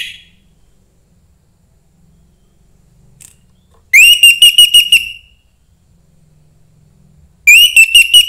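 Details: Young forest orange-headed thrush singing to spur other thrushes: two bursts of fast, even whistled notes held at one pitch, with faint low background hum between phrases.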